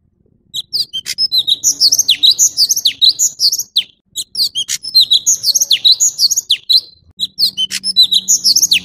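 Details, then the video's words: Orange-bellied leafbird singing a dense, chattering stream of high, sharp chirps and swooping slurred notes, in three bursts separated by brief pauses; a faint low hum sits underneath. "Tiếng chim thanh tước trung quốc/Chim xanh vàng✅Orange-bellied leafbird"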